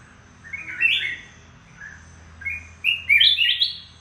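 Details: Moulting red-whiskered bulbul kept as a mountain decoy bird, producing bright warbling chirps that rise and fall, a run of slurred notes early then a louder cluster of rising whistles near the end.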